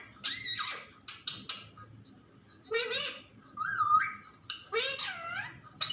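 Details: A talking pet parrot gives a jumble of short clicks, bent harmonic syllables and one clear whistled note near the four-second mark, uneven in rhythm, indoors.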